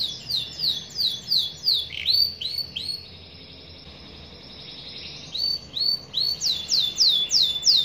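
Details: Young canary in active song: a run of clear descending whistles and a few lower swoops, a quiet gap of about two seconds, then loud sharp sweeping notes again over a low background hum.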